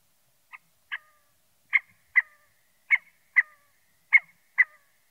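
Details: Scaled quail repeating paired nasal notes, a quick two-note chip-churr pattern about every 0.8 seconds, four pairs in a row with the first pair softer, in otherwise quiet surroundings.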